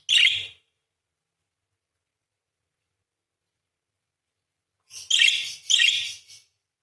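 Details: One short buzzy chirp from a parakeet, then four seconds of silence and a pair of longer grating warbles sung in quick succession.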